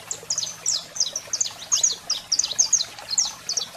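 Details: Saffron finch male singing while a female calls: rapid high chirps and short descending notes in quick bursts, slightly quieter, with faint low hum beneath.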